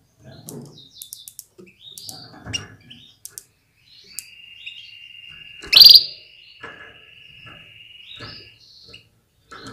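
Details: Female Atlantic canary giving calls to get males ready and singing strongly: scattered soft twitters, one loud sharp chirp, then a long, even, high whistled note.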